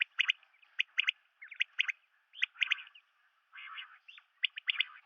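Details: Common quail, Coturnix coturnix, calling: short sharp clipped notes in quick groups of two or three, repeated about every second, mixed with softer raspy buzzing notes.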